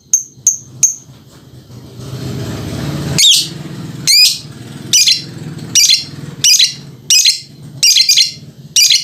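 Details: Dancing lovebird opening with three quick high chirps, then a steady sequence of harsh, strident chatter bursts about every 0.6 seconds, with low mechanical hum underneath.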